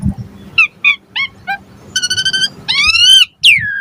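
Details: Asian pied starling lure song for prompting starlings to reply: short rising squeaks repeated quickly, then a held harmonic whistle and a long wavering upslurred note ending in a falling whistle.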